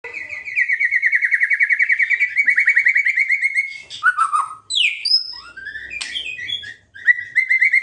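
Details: White-rumped shama song meant to provoke rival birds: a long run of rapid, evenly repeated buzzy notes, then varied whistles, sharp downward sweeps and chattering phrases.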